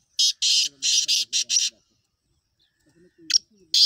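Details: Loud, grating series of about six harsh notes from a black francolin, followed by silence and the start of a new phrase, with faint low tonal sounds underneath.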